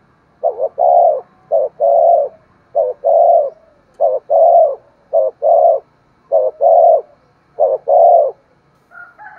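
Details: Spotted dove cooing meant to prompt other doves to coo and call: about eight steady low phrases, each a clipped note leading into a longer mellow coo, repeated at an even pace.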